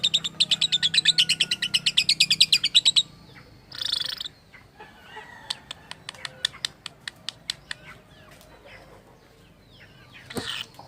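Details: Lovebird with an odd call said to imitate human speech: a rapid rattling run of piercing notes, a harsh squawk, then sparse thin clicks and a final raspy burst.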